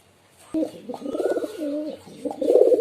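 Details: A close pigeon utters loud, low, vibrating coos in two or three bursts, each a rounded throaty rumble with a slight waver.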